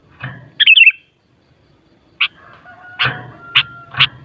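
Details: Sooty-headed bulbul giving one bubbly warbled phrase, followed by several sharp chip-like notes and low thumping knocks, with a faint steady tone behind.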